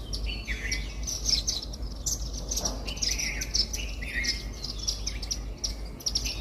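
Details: Indian silverbills, or white-throated munias, at a garden bird feeder give rapid overlapping high chirps and short trilled notes while eating millet. The sound is dense throughout, over a steady low hum.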